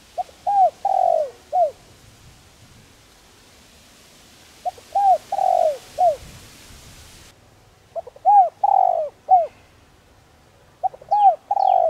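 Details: Four cooing phrases from a spotted dove, gentle calls for training decoys: each opens with a quick note, then three to four low, hollow coos with a longer drawn-out middle note, spaced several seconds apart.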